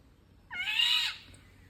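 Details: Single rasping, meow-like call of an Indian golden oriole, loud and wide-toned for roughly half a second before fading, with faint background hiss and no other birds clearly heard.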